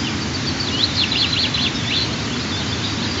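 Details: High, sharp chevron-shaped peeps from a white-tailed eagle eaglet at mealtime on the nest on a June 2023 morning, one of two young about three and a half weeks old, repeated unevenly against constant hiss.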